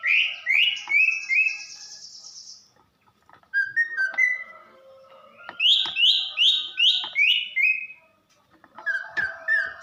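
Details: Caged female greater green leafbird from Banyuwangi singing to arouse the male: quick series of bright downslurred whistles, a buzzy trill, then rapid repeated high notes and lower chirps in bursts.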